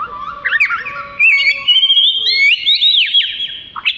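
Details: An Oriental magpie-robin sings a loud, varied run of high sweet whistles and fast slurred trills, rising and falling without pause, as song material for training other songbirds.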